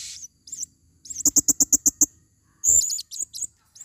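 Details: Blue-crowned hanging parrot, a female, recorded as a forest lure: a shrill high wavering squeak, then a rapid run of about seven sharp clicky pulses, followed by more high twisting squeaks in short bursts.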